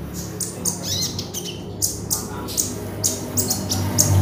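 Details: Oriental magpie-robin of the konin form singing vigorously, a lure recording for training birds: quick run of piercing high notes repeated about twice a second over a droning low background hum.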